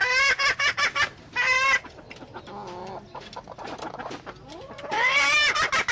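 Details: Junglefowl hen calling in bursts: quick loud clucks and a drawn, wavering squawk, a quieter lower clucking stretch, then another loud wavering squawk.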